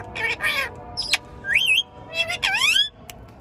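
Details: Pet green Indian ringneck parrot, shown talking, gives a mix of nasal speech-like syllables, a sharp click and swooping whistled glides that rise and fall, in short bursts over a quiet background.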